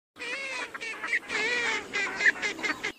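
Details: Northern shoveler, a migratory duck, giving a continuous run of nasal, harmonic-rich calls, some rising and falling, broken by brief gaps, with no other clear sounds.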